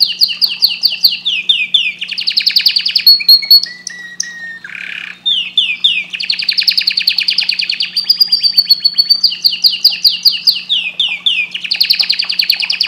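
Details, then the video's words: Canary singing a long, continuous high-pitched song of rapid trills and repeated chirping notes, with fast buzzy rolls broken by a few slurred, whistled sweeps. "Canary bird singing"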